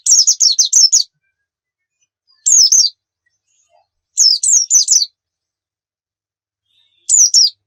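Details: Short, high twittering phrases from a Javan white-eye used as a lure for kept birds, four clipped bursts of sharp slurred notes spaced by silent pauses of one to two seconds.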